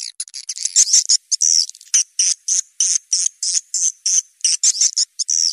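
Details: Swiftlet call mix used to attract swiftlets: quick, high, buzzy twittering chirps in bursts about every third of a second, an even, insistent chatter with no other sounds.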